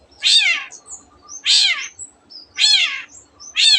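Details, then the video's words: Long-tailed shrike, a canary and multi-species mimic, giving loud harsh rasping notes repeated about once a second, with faint thin whistles between them. "cendet gacor nembak nembak rapat isian kenari dan banyak jenis burung yang masuk masteran"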